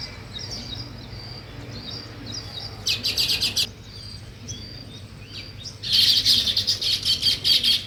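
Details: Chirping of weaver birds at work on their nest: soft thin high notes, then two loud rapid bouts of harsh, buzzy, high-pitched chatter, the second lasting about two seconds, over a faint low hum.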